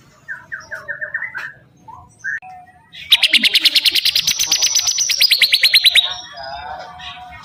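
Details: Actively singing bar-winged prinia: a descending series of short whistled notes, a pause, then a loud three-second trill of fast, sharp repeated notes rising slightly in pitch before stopping abruptly.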